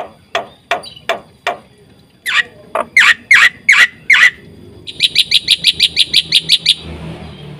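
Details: Black-winged Myna in a lively song used as a lure and tutor: spaced clicks, a few loud harsh squawky notes, then a fast run of ringing chirps fading into faint background noise.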